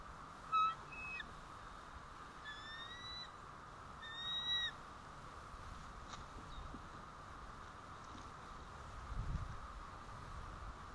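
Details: Bald eagles at their White Rock nest, 1 April 2012, around 10:06 am: the male returns and alert calls ring out before the female leaves. Three short bursts of thin, high whistled notes fall within the first five seconds, followed by steady background hiss.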